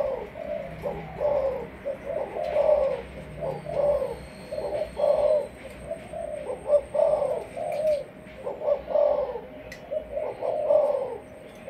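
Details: Malaysian-type spotted dove, a kept decoy bird with the cooing style called sấm thổ, gives repeated low hollow coo phrases of two or three notes, each rising then dropping, one every second or so, with a faint steady high tone behind.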